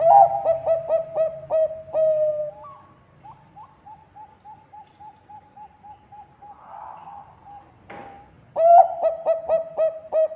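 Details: Zebra dove of the Bangkok type, singing loudly to draw other birds into song: rapid bursts of clipped, ringing coos at even pitch, a quieter run of short evenly spaced notes in between, a brief noise burst, then another loud burst.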